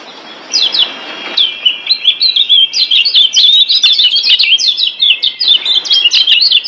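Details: Lombok yellow white-eye, kecial kuning, performing a master song for caged birds: after a faint start, a sustained stream of bright, high, rapid chirps and twitters to the end.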